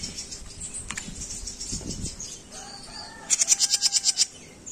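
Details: Training recording of a jenggot bird: soft high twittering and faint lower sounds at first, then a loud evenly spaced run of about ten sharp high chirps.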